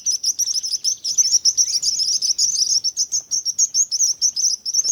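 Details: Busy, twittering bird chirps pour out in rapid succession, each note a little jagged and wavering at the same high pitch, with the background otherwise calm.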